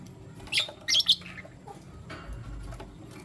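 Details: Lutino lovebirds, one male deciding between two females: two or three loud, harsh squawky chirps in quick succession, then quiet with faint low noise.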